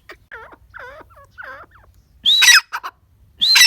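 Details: Grey francolin with soft, looping descending notes, then two loud, harsh, shrill bursts near the end.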